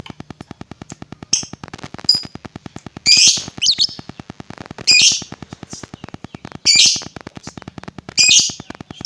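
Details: Lovebird sound meant to provoke other lovebirds: short, harsh, high chattering bursts repeated roughly every one and a half to two seconds, with faint chirps and a constant low ticking pulse between them.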